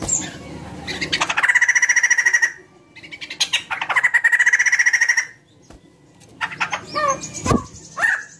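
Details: White-crested laughingthrush giving song meant to prompt other birds: two long buzzy rattling phrases of about one second each, then scattered sharp squawks and chatter.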